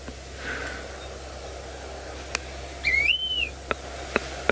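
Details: A yellow-throated longclaw perched beside a road in grassland at Djuma Game Reserve, Sabi Sand, South Africa, around 5:30 AM on 26 January 2018, gives one clear, slurred rising-then-falling whistle, then short sharp ticks over a low hum.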